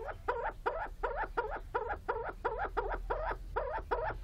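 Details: Willow grouse ready to mate, giving a steady run of hoarse, nasal clucking notes, about eleven in four seconds, evenly spaced like a fast rhythmic cackle, over a low rumble of background noise.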